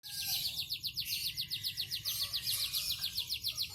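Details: Yellow canary, a three-time contest champion, singing a fast, high, even trill of sharp repeated notes, about three to four per second in pulses, with a faint low background hum.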